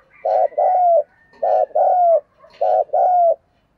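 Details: Thổ-style spotted dove cooing to lure wild doves: three even couplets roughly every 1.2 seconds, each a short throaty note then a longer coo that bends downward.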